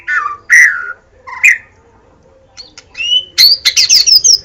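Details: White-rumped shama singing in captivity: a few separate rich whistled phrases, a short pause, then a quick run of high sweeping notes and clicks.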